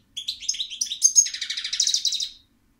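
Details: A single rapid phrase from a European goldfinch, a bubbling twitter of bright chirps running into a dry buzzy trill, lasting about two seconds before silence.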